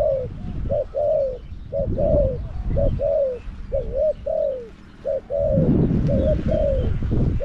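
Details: Decoy spotted dove in a cage, luring wild birds at Song Phi Nong, Thailand: steady series of mellow coos, a short note followed by a longer drawn-out falling one, with low background rumble.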